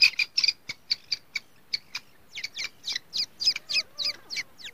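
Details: Grey francolin chicks on their first day give rapid, evenly spaced high chirps, each a quick falling sweep, about three per second in a steady run, with a faint low wavering tone near the close.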